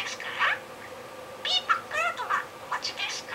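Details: Budgerigar kept as a pet chattering through a pretend shop-clerk script in July 2016; a squeaky phrase, a pause, then several quick warbled, speech-like syllables with wavering pitch.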